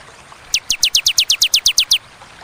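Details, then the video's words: Clear "tembakan" song of a bar-winged prinia, a crisp run of about twelve evenly spaced, high notes, each sliding steeply downward, delivered in under two seconds against quiet background hiss. "Tembakan ciblek ciwah cigun sadis pedas jernih berjeda"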